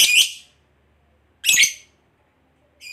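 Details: Lovebird giving long chattering calls to summon companions: harsh, buzzy bursts, each about half a second long, repeated roughly every one and a half seconds with silent gaps between.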